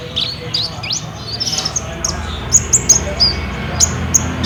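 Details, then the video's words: Olive-backed sunbird, a lively singer in trotol style, used to coax a kept bird into song. Sharp, very high chips come in quick uneven bursts, with a few rising whistled slurs near the start and faint low noise. "PANCINGAN KOLIBRI NINJA GACOR INI PASTI BUNYI"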